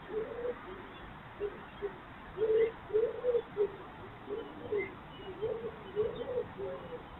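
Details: A common cuckoo, the first heard this year, in spring around a fox's breakfast time, gives soft, hollow two-note calls with the second note lower, repeated every second or so over a faint steady hiss.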